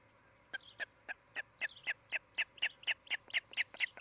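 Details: Osprey at a nest in Charlo, Montana, where a pair is nesting near a Great Horned Owl family, recorded by a nest camera on 16 July 2018 in the afternoon; a rapid series of sharp, whistled chirps, about two per second, growing louder.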